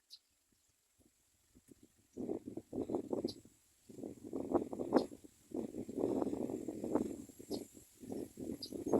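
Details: Common myna chicks in the nest, not waiting for the mother to bring food, give harsh, raspy begging squawks in irregular bursts with brief pauses between, while a few faint high ticks sound in the background.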